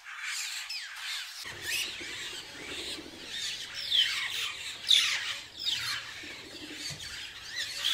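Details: Large noisy flock of glossy starlings bathing at a waterhole in Mashatu Game Reserve, Botswana: piercing, harsh squawks and squeals overlapping continuously from many birds, some rising in bursts.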